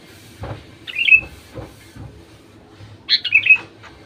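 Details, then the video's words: Bulbul lure recording of a sooty-headed bulbul, intended to make other bulbuls sing: two short, gurgling phrases that descend to a whistled end, separated by muffled clicks and taps. "Suara burung kutilang untuk memancing burung kutilang lain jadi gacor"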